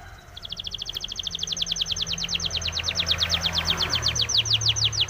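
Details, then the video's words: Spanish timbrado canary singing for training: a long, fast, pulsing trill of high notes, slightly slowing, with low hum and noise underneath. "SPANISH TIMBRADO SONG FOR TRAINING - canary training song"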